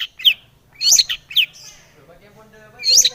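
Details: Lure song of a long-tailed shrike, played to get other shrikes singing; sharp, bright descending chirps in a quick cluster, a quiet gap, then one more loud squeaky note.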